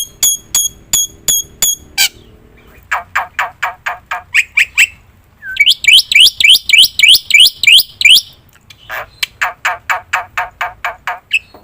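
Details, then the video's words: Black-winged myna in lively song used to lure other birds: sharp high clicks, then rapid rasping notes and a loud burst of upswept hooked whistles, ending in more quick harsh notes. "suara top jalak putih gacor - sekali putar bikin bunyi semua burung - masteran - pancingan"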